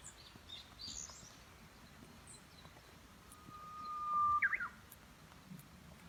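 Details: Spring song of a Japanese bush warbler, recorded 14 April 2019 at a future building site in Japan: one sustained pure whistle followed by a brief, tumbling upslurred ending, faint bird chirps behind.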